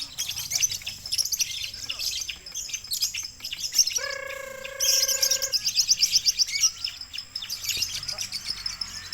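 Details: Lovebird singing at a contest judged by a West Sumatra jury: long, rapid, high-pitched chattering trills with fast buzzy rattles, broken midway by a steady harmonic tone lasting about a second and a half, with more chatter in the background.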